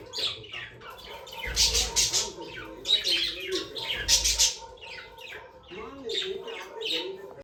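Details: Pet budgerigars chattering indoors, dense overlapping chirps and harsh squawks in loud bursts, with softer warbled notes between them and a faint voice in the background.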